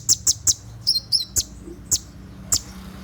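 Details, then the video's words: Konin (olive-backed sunbird) singing 'tembakan' style at night for training caged birds: three fast piercing chirps, then paired downslurred whistles and spaced sharp high notes. "SUARA TEMBAKAN KONIN SAAT DIMALAM HARI"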